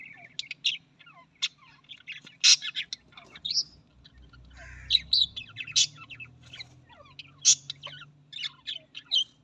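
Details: Australian parrots chattering with quick high chirps, sliding whistles and sharp clicks in uneven bursts throughout, several birds seeming to overlap, over a faint low hum.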